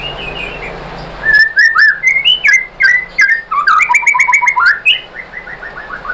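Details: White-rumped shama song used as a lure to provoke other shamas into answering and singing: varied whistled phrases and rapid repeated notes, some dropping in pitch, a faint rising whistle at the start, background hum.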